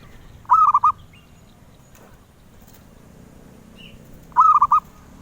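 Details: Zebra dove song prized by collectors: two short bursts of quick, rolling coos at a mid pitch, about four seconds apart, with near silence between them.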